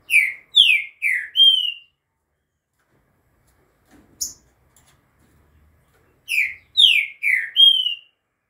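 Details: Green-winged saltator song recorded at 2:30 in the afternoon on 11 September; a phrase of four loud, rich downslurred whistles ending in a longer level note, a short pause with one faint note, then the same phrase repeated.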